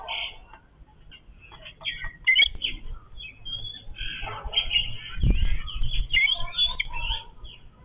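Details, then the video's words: A family of Yellow-billed babblers eats together. They keep up a busy, overlapping squeaky chatter and harsh squawks, with a low thump partway through. "Family of Yellow-billed babbler eating in harmony"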